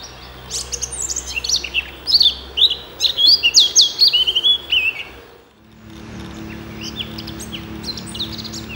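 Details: Danish Eurasian blackcap singing a rich, rapid warble of scratchy and whistled notes for about five seconds, ending in bright fluty phrases, followed by a quieter pause with faint distant chirps and a low background hum.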